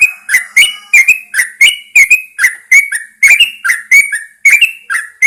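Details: Caged Yellow-vented Bulbul set out at first light, pouring out rapid, bright whistled notes in steady pairs, alternating higher and lower pitches without a break.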